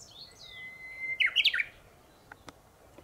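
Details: Japanese bush warbler singing in the morning from the top of a tall tree instead of its usual low shrub branch: one long, steady whistled note, then a quick, bright, warbled flourish, with faint distant ticks afterward.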